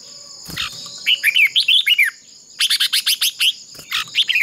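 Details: Red-whiskered bulbul decoy singing in a duel to spur others into song; a fluent run of curving whistled notes, then a quick series of sharp staccato chirps and another short phrase, over a steady high whine.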